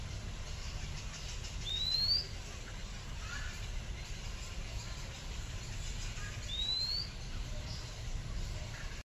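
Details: Oriental magpie-robin, unaware it is being watched, gives two clear rising whistles about five seconds apart. Each whistle is a thin upward slur. A steady low rumble runs beneath throughout.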